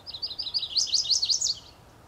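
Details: Male Chestnut-sided Warbler giving its territorial unaccented-ending (Type II) song on a foggy early morning, 30 May 2014, Beech Hill Preserve, Rockport, Maine: a high, rambling warble of about a dozen quick, rising slurred notes, growing louder midway, lasting 1.5 seconds.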